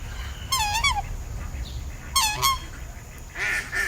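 Swan giving two nasal, bugling honks, each about half a second long and dropping slightly in pitch, followed by a rougher, noisier call at the end.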